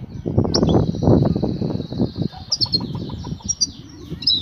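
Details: Female goldfinch eager to mate, calling for the male with a sustained high buzzy trill, then repeated chirpy twitters, amid dense low rumbling and knocks.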